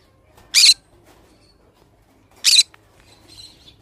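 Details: Pet pineapple conure, a green-cheeked conure, gives two short harsh broadband squawks about two seconds apart, with quiet room hum between them.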